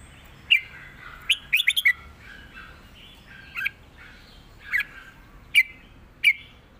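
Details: Red-whiskered bulbul kept in a cage, singing a southern Thai master song for bird training: an opening whistle, a quick run of rippling notes, then spaced single sharp chirps roughly every second.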